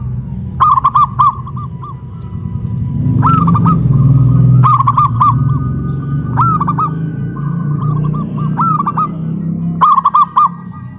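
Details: Local zebra doves singing loudly from cages raised on a pole in Kuningan, West Java: ringing phrases of four or five rapid coos recur every couple of seconds over a strong, steady low rumble.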